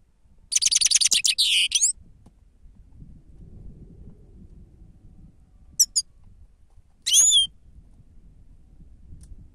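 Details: Grey-crowned goldfinch 'sava' song for use as a lure: a fast, buzzy twittered phrase opens, followed after a pause by a pair of brief high ticks and one twangy call note.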